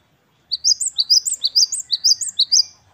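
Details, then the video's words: Singing great tit (gelatik batu) giving the wucit-wucit kristal song style: crisp, very high paired notes repeated briskly, roughly two per second, in a clean, quiet setting. "Gelatik Batu Wingko Gacor | WUCIT2 KRISTAL | Great tit birds | Parus Major"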